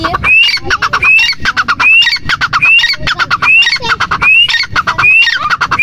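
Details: Grey francolin, locally teetar, in full voice: a rising whistle, then a chatter of rasping notes, the phrase repeated about eight times at a brisk, regular rhythm.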